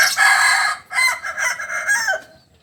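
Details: Kukuak Balenggek rooster, a native chicken breed from Solok, crowing loudly: a harsh, harmonic opening note, a brief break, then a chain of several stepped syllables that fades out after about two seconds.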